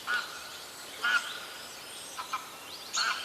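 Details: A bird calling in nature with loud, harsh, slightly nasal bursts about a second apart, and a pair of quick softer notes between them, over a low hiss.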